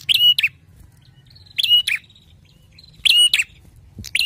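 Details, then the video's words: Bar-winged prinia giving loud, sharp, buzzy, ringing high-pitched chirping bursts about every one and a half seconds, a clear loud song taken as a sign of a quality bird, with faint low background rumble. "PLONG ,NYARING KICAUANNYA !! TERBUKTI CIRI PRENJAK BERKUALITAS"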